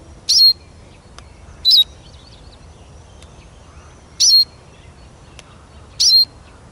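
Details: Eurasian siskin repeating four brief, high, twisted whistled calls at uneven gaps of one to two and a half seconds, with a few faint clicks and soft distant chirps.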